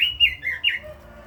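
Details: Captive Red-billed leiothrix whistling a rapid string of rich, rolling notes that dip and rise, fading after under a second over a faint low background hum.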